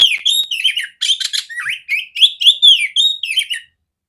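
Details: Caged female oriental magpie-robin, loud and clear, played to train other magpie-robins; three rapid bursts of sweet whistles mixed with harsh chattering notes, brief pauses between bursts, no other sounds.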